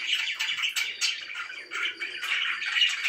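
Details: Happy pet budgerigars chirping: a dense, continuous chatter of bright warbled notes and short squawks, rising and falling in quick bursts with barely a pause.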